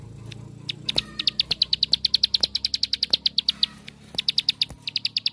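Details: Ngebren-style song of a bar-winged prinia, played to goad other prinias to sing. After a quiet start, sharp high notes come in a fast even series, with a brief break before the final run. Low hum and light thumps beneath.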